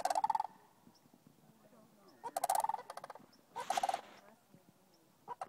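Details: Sandhill cranes calling from one group to another in a field near the Rio Grande, Albuquerque, New Mexico, 18 November 2012: three loud, rolling, trumpeting rattles, each about half a second, spaced a second or two apart.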